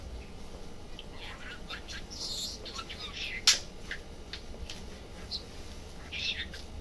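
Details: Budgerigar in a pet shop, mumbling and chattering: scattered short chirps, clicks and soft warbled notes, with one sharp louder click midway, over a steady low indoor hum.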